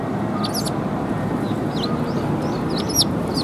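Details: At a Tenmangu shrine on 24 February 2021, sparrows arriving for food make scattered thin, high chirps and short twitters across a few seconds, with a low background rumble throughout.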